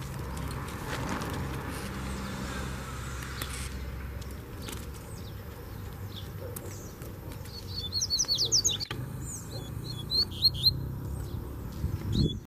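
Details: A loose Double-collared Seedeater challenges a caged rival with a burst of high, twittering whistled notes late in the recording, after several seconds of quiet with low background hum.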